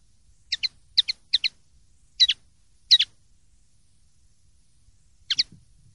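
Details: Common linnet in the pardillo limpio clean-song style, 2023/2024 silvestrismo recording: paired, clipped high notes delivered in quick doublets, several in the first three seconds, a pause, then one more pair, with a faint low murmur behind.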